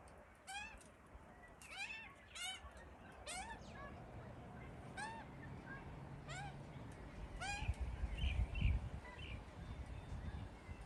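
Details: Two hungry baby Australian magpies in a tree, fed by their parents, beg with loud nasal, wavering squawks, about one every second, over a low steady rumble of wind or traffic.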